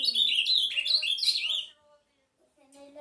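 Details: A fast, jumbled phrase of sweet whistled notes from an Ultramarine grosbeak, under two seconds long, fading into quiet with faint low tones afterwards.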